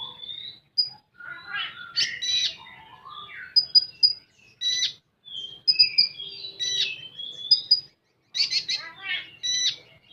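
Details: Common iora in full 'tembakan' song: short high whistled pips, sliding clear whistles and dense buzzy bursts, broken by brief pauses over ten seconds, with a faint low hum underneath.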